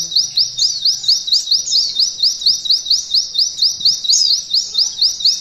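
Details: Pleci, a white-eye, sings in 'nembak kenari ngalun' canary-imitating style for training contest birds. A steady run of sharp, high upward-slurred whistles repeats roughly twice a second throughout.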